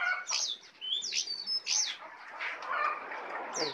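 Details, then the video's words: Tame brown prinia singing actively, its song full of learned phrases: a busy run of sharp high chirps, short downward-swept whistles and brief trills, in uneven bursts with brief pauses between. "jongkangan jinak dan gacor full isiaan"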